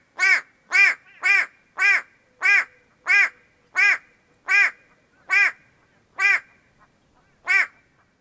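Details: In Kenya, a White-bellied go-away-bird gives harsh, nasal, bleating calls, nearly two a second at first, then slowing with longer pauses near the end; White-bellied go-away-bird.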